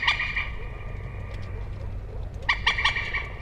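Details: Common moorhen: a quick run of scratchy clucks at the start, a pause, then another stuttering burst of four or five notes; faint steady tone underneath.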